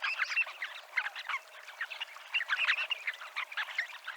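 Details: Dunlin on the seafront promenade at Abruñeiras, Noia, in the Ría de Noia: a dense, overlapping chatter of short buzzy and twittering calls from many birds, with no pauses between them.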